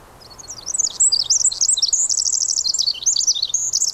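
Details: Pacific wren singing in the rain in the Squamish River Estuary: a rapid, high tumbling cascade of tinkling notes, trills and sharp chips, continuous and fast with no pauses, over a soft background hiss of rain.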